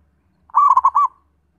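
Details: Zebra dove singing a single short phrase of four quick, mellow cooing notes run together with a slight trill, then falling silent.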